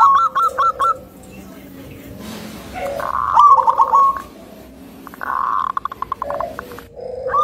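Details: Local zebra dove, described as thick-voiced with a melodious rhythm and apt to rile other zebra doves, gives several short, separated bursts of soft, purring coo notes with quiet gaps between them.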